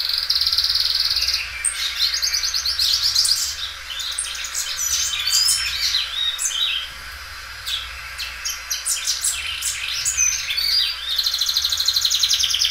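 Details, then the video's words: A Belgian singing canary, described as loud and well kept, repeatedly stretches and repeats its song. It gives a long, high, run-on song of rapid trills, rolls and bright chirps, opening and closing with buzzy trills over a faint low hum. "canário belga dobrando o canto."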